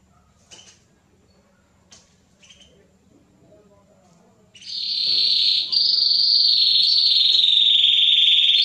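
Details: Canary male singing to prepare females for breeding: a few soft scattered chirps over a low hum, then a sudden loud, sustained high buzzy trill that rolls on steadily for several seconds.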